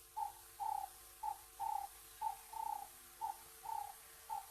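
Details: A very vocal dove coos steadily in the background at an African wildlife cam on a January afternoon, with short and drawn-out mid-pitched notes about once a second over a faint low hum; dove.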